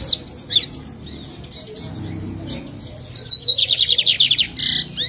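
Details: Captive lined seedeater from Jataúba, Pernambuco, Brazil, giving scattered high chips and slurred notes, then a fast, regular trill of clipped high notes followed by a short buzzy note, with a faint low background hum.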